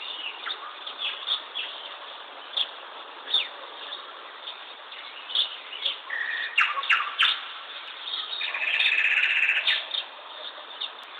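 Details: Chirping bird giving scattered short high tweets throughout, then a brief run of quick chirps and a louder, fuller burst of twittering toward the end over constant background hiss.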